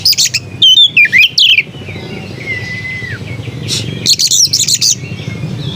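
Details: Oriental magpie-robin singing melodiously: quick pulsed chattering, downslurred whistles, a long soft wavering whistle fading lower, then another burst of rapid scratchy notes.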